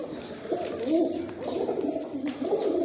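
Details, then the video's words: Fighter pigeons in a Sindhi village in Pakistan, several birds cooing together in low, throaty, overlapping rolls that swell and fade throughout, with a faint murmur in the background. "kabootar fighter Pigeons in Sindhi village Pakistani"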